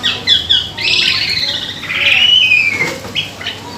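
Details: Asian pied starling (jalak suren), a bird known for mimicking other birds, singing its repertoire as a lure to prompt singing: loud high whistled phrases, one long slurred note falling near the end, with short chirps between.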